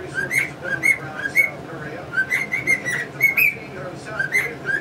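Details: Indoor male cockatiel whistling melodies like the Mexican Hat Dance; brisk sequence of short, evenly pitched whistled notes in quick succession, with budgie twittering mixed in.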